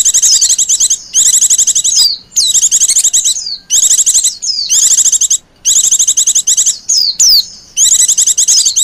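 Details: White-eye lure call for attracting wild white-eyes, in the noisy 'pleci ribut' style: high, rapid chattering bursts about a second long, separated by short gaps, with sharp downslurred whistles mixed in.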